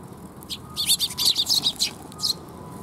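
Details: Sparrows arriving to be fed at a perch, dated 7 June 2021: a rapid run of sharp, high chirps lasting over a second, then a single chirp after a pause, over quiet background.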